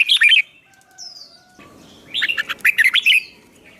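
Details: Songbird song used in fighting-song training for a young bird: a short chirped phrase, a thin drawn-out whistle, then a lively run of bright twittering chirps over a low background rumble.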